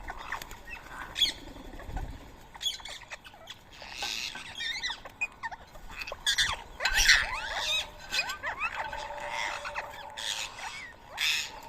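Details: Rose-ringed parakeets gathered to feed on boiled rice at 7 AM in Coimbatore, India, on 31 March 2024. Many sharp, arched chirps and squeaks overlap throughout in an irregular, chattering chorus, with occasional louder shrill bursts.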